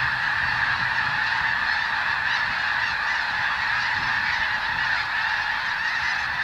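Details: Snow geese, thousands strong, feeding on new wheat in Washington State's Skagit Delta as bird bombs move them on. Ceaseless overlapping honks form a steady roar, with a faint low hum underneath.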